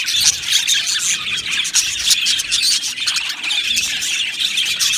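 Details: Many budgerigars chattering together in an aviary, a thick wash of high squeaks, squeals and chirps with no pauses, a few louder shrill notes near the start.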